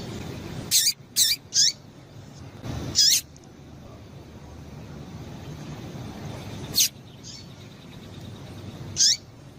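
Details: A female Double-collared Seedeater gives short, high, sharp chips, singly or in quick groups of three, at irregular intervals over a low background hum; these female calls are used to stimulate males to sing.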